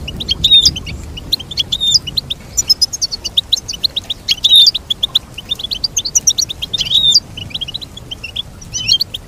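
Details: Goldfinch song: rapid high twittering notes in quick bursts, with a few sharper liquid and buzzy phrases rising above, against a soft low background hum.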